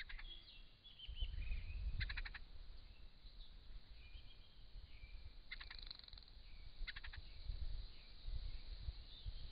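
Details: Wild Crested Shrike-tit filmed by camera trap in regional Victoria, Australia, while drinking: short harsh rasping chatter bursts near two, six and seven seconds, with scattered thin whistled notes between, over low rumbling background noise.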